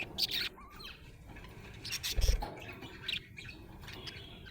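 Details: Budgerigar described as happy, chirping: short high chirps and squawky notes in scattered bursts, with a low thump near the middle and background noise.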